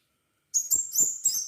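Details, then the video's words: Crimson sunbird singing hard, recorded to prompt other sunbirds to sing: three or four quick, piercing, high-pitched twittered notes running together in a bright chattering phrase against silence. "Burung kolibri sepah raja gacor - pancingan sepah raja agar bunyi"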